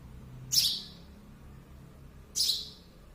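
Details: Young sparrow giving two strident, scratchy chirps nearly two seconds apart against faint background hum.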